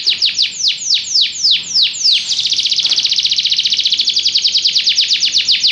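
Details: Belgian canary song opening with spaced, falling whistled notes, then shifting into a very fast, steady rattling trill that runs to the end.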